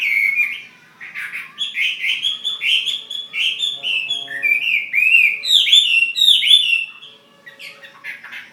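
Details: Chinese hwamei, a fighting bird from Ha Giang, Vietnam, sings a loud, rich run of varied whistled and slurred phrases, rising and falling, delivered in quick succession with short chattering notes between them.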